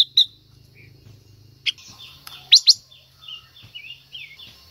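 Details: Female Silver-eared mesia singing to stimulate a male: sharp high whistled notes and short falling slurred phrases, loudest in a paired burst near the middle, over a faint low hum.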